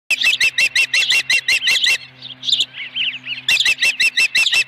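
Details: Osprey at a ranch nest with a live fish, 26 May 2020 at 4:58 PM: rapid high sharp chirps in a fast run, a short break with softer chirps, then the quick series resumes.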